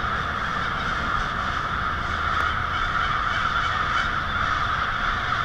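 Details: Evening winter roost of hundreds or thousands of American crows on a residential street in Lansing, Michigan, February 1, 2016: countless raucous caws blend into one continuous, churning din.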